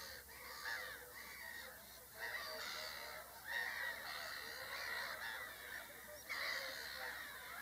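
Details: Several whooper swans in a busy honking chorus, nasal trumpeting calls layered and nearly continuous, swelling in bursts, with steady hiss underneath.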